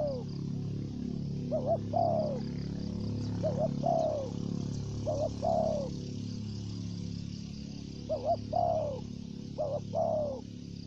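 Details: Spotted dove used as a lure, giving thổ dế, dập and mai rừng voice styles. Six low coo phrases, each a doubled note then a descending coo. Louder low rumbling noise and a broad hiss partly mask them.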